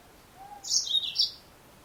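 A female yellow-fronted canary gives a quick burst of thin, high twittering chirps lasting about half a second, preceded by a faint lower whistle.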